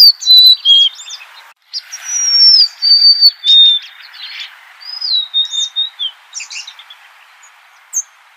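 Golden-crowned sparrow giving clear, high whistled notes that slide gently downward, mixed with quick chirps and short buzzy bursts from other birds.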